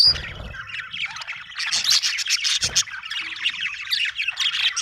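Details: A budgie flock, Australian birds, squawks and chirps in a thick, continuous chatter of high raspy notes and twitters, opening with a brief knock.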